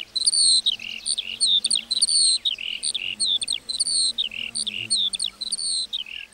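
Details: Lark singing over a meadow, a busy high warble of looping chirps and slurred notes repeated in short phrases, flowing on without a break.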